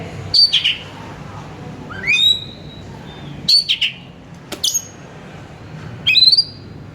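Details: Oriental magpie-robin in a recording to lure and excite a kacer to sing. Chattering whistles alternate with rising slurred whistled phrases in five bursts. A sharp click-like note stands out, over quiet background hiss.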